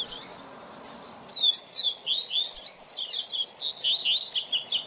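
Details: Double-collared seedeater (coleiro) tutor bird singing for song training of a young bird: sharp high chips open into a sustained, fast twittering sequence of whistled slurs and trills, with light clicking throughout.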